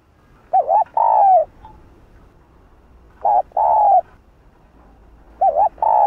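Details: Spotted dove in the 'Hạp Bổi' voice, cooing to goad other doves. Phrases of a brief wavering coo and a longer level-to-falling coo repeat roughly every two and a half seconds over a quiet background.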